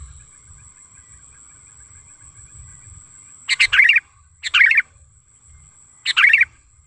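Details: Sooty-headed bulbul lure call, said to be natural wild sound: three separate loud bubbly, gurgling phrases, each under half a second, spaced about a second or more apart, over a quiet background with a faint high tone.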